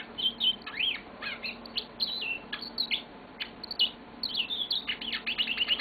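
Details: Pet yellow-fronted canary singing indoors, a fast and varied stream of high chirps, buzzy trills and clear descending whistles delivered almost without a break.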